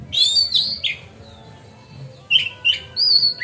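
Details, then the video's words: Magpie-robin singing steadily in a relaxed, free-flowing style, used as a lure to make other magpie-robins fan their tails. It gives sweet whistled phrases, slurred and falling, then a pause, then a fresh burst of clear, level and rising whistles. "Pancingan Kacer Gacor Ngeplong Santai Bikin Buka Ekor Kacer Lain"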